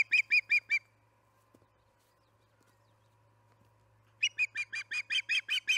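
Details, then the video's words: Evening feeding at the Charlo osprey nest, July 9, 2019, 6pm: a short run of four piercing chirps, a quiet gap with faint knocks, then a longer accelerating string of loud repeated whistled notes. "Evening feeding, 7/9/19 - Charlo osprey nest"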